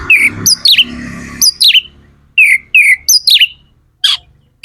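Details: Magpie-robin (kacer) singing to stimulate other birds: clear downward-sliding whistled notes repeated in pairs and triplets, with a buzzy trill early and a short pause before the final notes.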